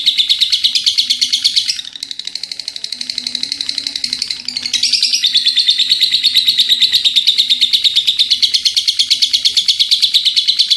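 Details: Lovebird giving an extended ngekek, a continuous shrill chattering trill of rapid repeated notes. The volume dips for a few seconds, then the long rattle resumes steadily.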